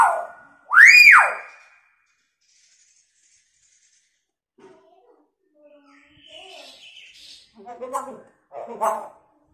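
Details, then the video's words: Hill myna imitating a siren and a woman's screaming as a lure sound: one loud arched whistle rising and falling, followed by quiet chatter and soft clicking, rattling sounds. "Beo gacor suaranya unik sperti bunyi sirine & teriakan wanita"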